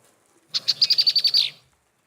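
A female Red-winged Blackbird gives a rapid, dry chatter of about nine high, sharp notes in one second, ending in a slightly lower buzzy note. Nothing else is heard.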